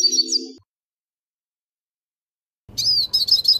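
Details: Hooded siskin giving its metallic song, used for tutoring young birds: a short burst of high, thin twittered notes with a low hum beneath, then a silent pause, then a fresh run of rapid sharp chips and slurred whistles.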